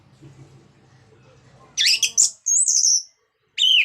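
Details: Song of the orange-headed thrush, meant to stimulate other birds to sing: after low background hum, a scratchy burst, a long wavering high whistle, and a final sharp slurred note.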